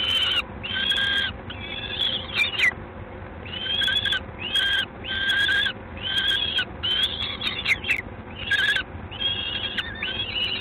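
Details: Peregrine falcon at LOTOS, Gdańsk, Poland, 3 June 2016, 19:47: a series of about ten loud, rasping, drawn-out harmonic notes, each roughly half a second long, separated by short silences, with low steady hum underneath.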